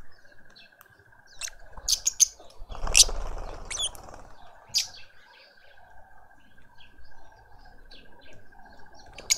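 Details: Lovebird family with a juvenile at a garden feeder in suburban Pretoria, South Africa; scattered sharp, shrill squeaks and short harsh calls, a louder rustling burst near the start, over a faint steady hum.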